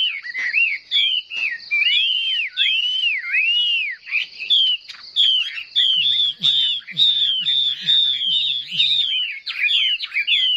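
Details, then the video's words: Chinese hwamei in competitive singing, fanning its tail and holding its wings in an eagle-like display: loud, varied whistled phrases sliding up and down in quick succession, with a low, repeated droning pulse underneath midway through. "Họa mi hót đấu"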